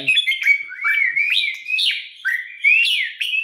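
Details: Red-whiskered bulbul (Pycnonotus jocosus), a competition bird being readied for upcoming singing contests, singing a rich run of whistled, warbling phrases, rising and falling between mid and high pitch, with short breaks and a man's voice at the start.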